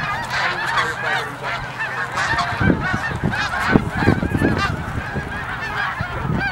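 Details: A huge migrating flock of snow geese at Middle Creek, Pennsylvania, honks without break; nasal barking calls pile over one another, with a few louder nearby yelps rising out of the roar.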